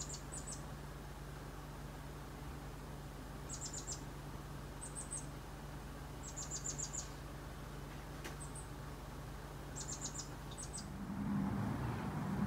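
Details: Chestnut-backed Chickadee visiting a backyard, giving very high, thin, rapid clusters of three to five notes every couple of seconds, over a steady low hum and a rumble at the end.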